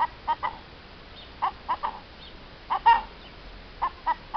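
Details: Hen in April 2015 uttering brief clucks in pairs and triplets with gaps between groups, one note slightly drawn out.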